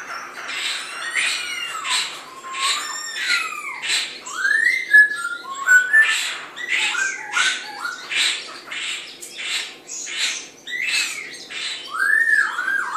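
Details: White-cheeked laughingthrush song while competing over animal feed: loud sliding whistles falling and rising around one to two kilohertz, mixed with harsh squawky bursts, phrases repeating roughly every second throughout.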